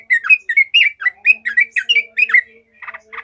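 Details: Yellow-vented bulbul singing emotionally and angrily, used to build fighting spirit in other bulbuls: about ten rapid liquid, rising-and-falling whistled notes, ending in short rasping chatters.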